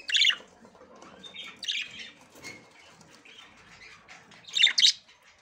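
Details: Female budgerigar ready to breed, attempting to enter the nest for the first time. A loud harsh squawk is followed by quiet thin whistles, then a second pair of rasping squawks near the end.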